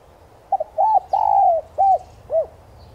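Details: Spotted dove lure call, used to stir captive doves into cooing: one phrase of two short clipped notes, a pair of hollow arched coos, a long drawn falling coo, then two separate rounded coos, over quiet low background hum.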